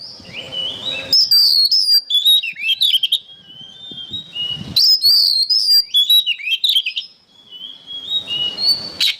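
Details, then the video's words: Oriental magpie-robin singing for songbird training, delivering long bright whistled phrases with rising and falling slurs and quick chattering notes, repeated in two bursts with a soft hiss between. "MASTERAN BURUNG KACER GACOR"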